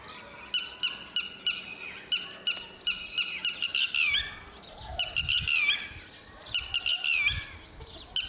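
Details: Lapwing guarding its chicks, the male and female protecting them until they can fly; loud, harsh, high calls come in bursts of rapid repeated notes, each burst ending in a sharp upward-bending cry, spaced a second or two apart.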